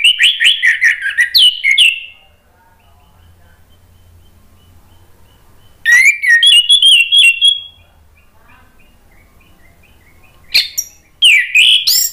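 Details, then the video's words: Orange-headed thrush giving rich, varied warbled phrases with mimicry-like whistles and chatters in three bursts, separated by quiet gaps with faint background hum; used as a lure to get other orange-headed thrushes singing. "PANCINGAN ANIS MERAH agar BUNYI NYAUT JADI GACOR NGEPLONG"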